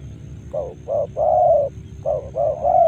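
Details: Spotted dove in Karawang cooing in two quick series: short rounded notes followed by a longer sustained coo, then three more brisk coos; low steady background noise throughout.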